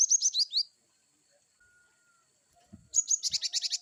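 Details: Varied wucit calls of a cinereous tit (glatik batu): a fast run of high, slurred chirps, a pause of two seconds, then another rapid series of about eight sharp repeated notes.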